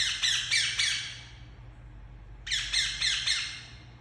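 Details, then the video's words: Indian ringneck parakeet kept as a pet, calling in two quick bursts of three shrill, rasping squawks each, separated by a pause of about a second and a half, over a low background hum. "Super Cute Ringneck Parrot Making Sounds"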